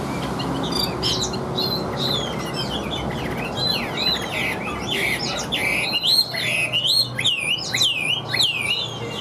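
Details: Chinese hwamei in a cage, singing 'điện đóm' style. Soft warbling builds into loud, looping whistled notes that bounce up and down rapidly over steady low background hum.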